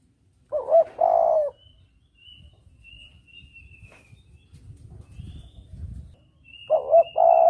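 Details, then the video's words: Spotted dove double-coo lure call for hunting: a broken note and long coo at the start, a stretch of low rumbling noise and faint high whistles, then the same coo phrase returning at the end. "Suara pancingan Tekukur || suara pikat tekukur || mp3 suara tekukur jernih"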